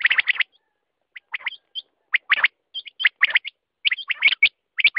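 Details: Quail giving rapid, grating chirps interspersed with thin looped whistles, arriving in irregular groups roughly every half second to second.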